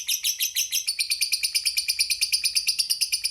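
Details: Long 'ngekek panjang' chatter of a fighter lovebird, played to provoke rival birds: an unbroken, fast, evenly pulsed stream of shrill buzzy notes, about three per second, with no other sounds.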